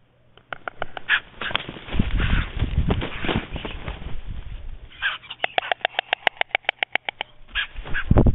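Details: White stork at its nest in Jaczno on the evening of 23 April 2021, during an attack by a second female: noisy scuffling, then a run of rapid, dry, evenly spaced knocking pulses, about seven per second.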